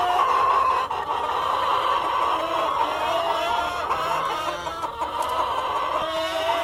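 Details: A mixed flock of farm chickens, a cockerel among the hens, giving a nonstop chorus of clucks and drawn notes at a fairly even loudness.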